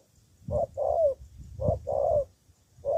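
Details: Decoy spotted dove from Cà Mau, kept for luring rival doves, giving soft low coos in pairs, a short note then a longer drawn-out one, with a brief gap between pairs and faint low thumps beneath.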